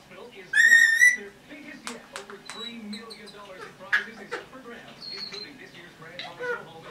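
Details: Pet red-bellied parrot, a 10.5-month-old female, gives one loud clear whistle that climbs slightly, followed by soft clicks, chirps and mumbling chatter over a low background drone.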